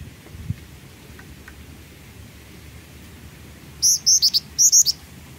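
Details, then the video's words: Black-winged flycatcher-shrike singing actively, kept as a master bird for tutoring other songbirds; after four quiet seconds, two quick bursts of very high, thin, sharp whistled notes follow one another. "Burung Jingjing Batu Gacor"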